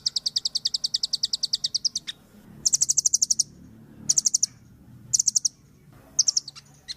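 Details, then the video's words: Velvet-fronted nuthatch (Sitta frontalis), a sharp-voiced songbird used as a song tutor for other birds, giving a fast, high, sharp trill of about ten notes a second, then short bursts of six to eight similar notes. "MASTERAN BURUNG RPM GACOR"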